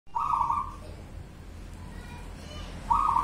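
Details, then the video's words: Local zebra dove (perkutut) singing in the style called bedah karang nabuh kentongan: a rolling, bubbling coo phrase of about two-thirds of a second, heard at the start and repeated near the end over a quiet, low background hum. "Perkutut lokal Satrio pinayungan ,suara bedah karang nabuh kentongan"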